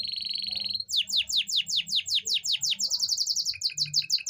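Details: Singing canary, its song said to stimulate hens into breeding readiness: a buzzy rattling tone, then a fast series of sweeping downslurred whistles turning into quicker clipped chips; low background hum.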